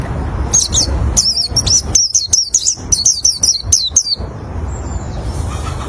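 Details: Oriental white-eye song used to lure other white-eyes: rapid high thin twittering notes in quick bursts, chattering steadily for about four seconds, then a faint whistle as it fades, over low background rumble.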